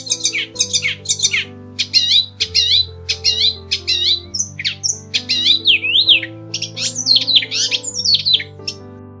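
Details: A captive Icterine Warbler, a many-voiced mimic, sings a fast, varied stream of high chattering, whistled and swooping notes with mimicked phrases, over soft low background music.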